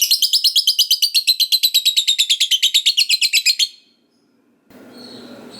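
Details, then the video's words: Gacor lovebird sound used to prompt other lovebirds to answer: a long ngekek of rapid, buzzy, high chattering notes repeated about three per second for nearly four seconds, then it stops and faint room noise follows. "Pancingan Lovebird Gacor Gak Mau Diam, Suaranya Bikin Loverbird Bahan Dengar Langsung Nyaut Bunyi"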